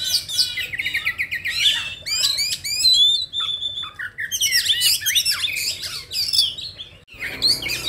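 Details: Oriental magpie-robin song used to provoke other magpie-robins into singing; dense, rapid mix of repeated sharp notes, sliding whistles and scratchy trills, briefly pausing near the end before resuming, over faint hum.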